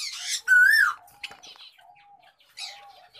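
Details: A wild-grey Java sparrow gives a single clear, slightly wavering whistled note, followed by fainter soft notes, with bursts of rustling and wing flutter before and after.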